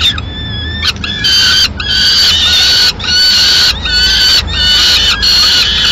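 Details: Peregrine falcon nest in Madrid during a mid-morning meal as the female arrives with part of a pigeon; strong, sustained harsh wails repeated about every second, separated by short clicks and breaks.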